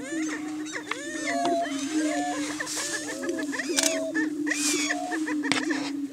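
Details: Greater Prairie Chickens displaying on a hilltop lek in Washington County, Kansas, one spring morning to establish breeding territory: a steady, low, hollow booming drone from many birds, overlaid with rising whoops and sharp cackles.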